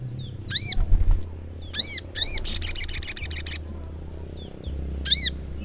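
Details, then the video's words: Crimson sunbird (sogok ontong) singing in the continuous 'gacor ngleper' style: loud arched high notes repeated, then a rapid buzzy trill of about twelve pulses, and a final arched note. Low hum underneath. "SOGON GACOR NGLEPER"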